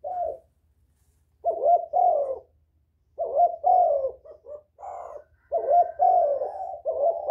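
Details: Spotted dove calling to bring in other doves: repeated phrases of low, soft hooting coos, each with a drawn-out falling note, coming quickly one after another across seven seconds.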